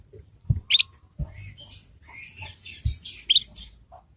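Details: Juvenile Yorkshire canary learning the 'ngriwik' sound, used to make other canaries respond and learn: sharp rising chirps with a lively run of high, rapid twittered notes, plus a few soft low thumps.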